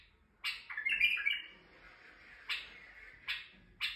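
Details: White-eared bulbul male singing to excite females in Turkey, a warbling whistled phrase of slurred notes followed by three short, sharp chirping notes spaced about a second apart.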